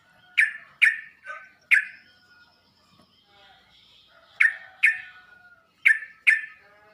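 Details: Sooty-headed bulbul tutoring sound intended to trigger an immediate answer from other bulbuls: a run of four abrupt, bright down-swept notes, a pause with faint buzzing, then two more close pairs.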